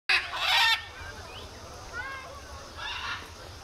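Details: Birds screaming: one loud, harsh, raspy burst opens the recording, followed by fainter scratchy cries and thin squeaky notes over a steady background hiss.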